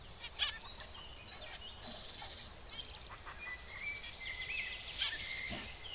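Zebra finches give soft, nasal, buzzy chirps, some drawn out and trembling, others short and sharp, over a quiet background hiss.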